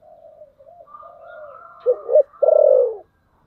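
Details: Decoy spotted dove giving its 'thổ sấm' style coo to attract wild birds: quiet low hooting swells into two punchy coos and a strong, sustained, falling last note, with a faint higher cooing layer behind.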